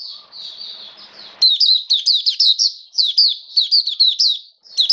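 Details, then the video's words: Oriental white-eye kept in a cage, recorded in rainy weather on 29 September 2022. Soft thin trill at first, then a long string of loud, rapid, high slurred notes in quick phrases. "Mata Puteh Buka Sing Raja"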